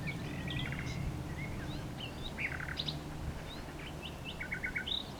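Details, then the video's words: Common nightingale singing at some distance: scattered whistles and short chattering phrases ending in a quick series of four repeated notes, under noticeable low rumbling background noise. "A Nightingale singing"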